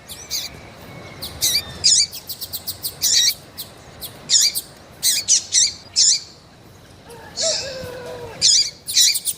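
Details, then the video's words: Female Double-collared Seedeater in heat, calling often to excite males. Short, piercing chirps come in bursts of two to four, with hooked, descending endings. Near the end, a lower, wavering tone sounds beneath the chirps. "FÊMEA DE COLEIRO QUENTE CHAMANDO MUITO FOGOSA E PIANDO"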